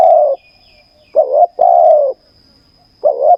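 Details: Spotted dove recorded while decoy luring on the ground, a wild bird with a fine voice being lured in: mellow low coos, a quick two-part note and then a drawn-out descending croon, repeated about every two seconds over a thin constant whine.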